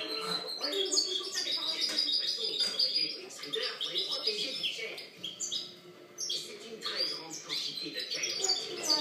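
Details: European goldfinch in song, 2013 recording. Chattering high twitters come in dense runs separated by brief lulls, and a faint low murmur lies underneath.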